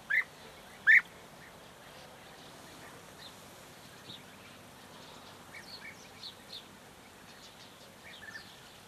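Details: European goldfinch (Carduelis carduelis), song.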